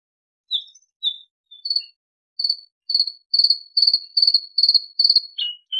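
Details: Bluethroat delivering a series of clear, high, ringing notes that speed up into a rhythmic string of repeated ticking phrases, then close on a lower, downward-slurred note.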